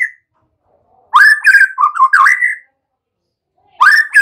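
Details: White-rumped shama song used to train young birds to sing: loud slurred whistles climbing and falling in a warbled phrase, silence, then a rising whistle begins again.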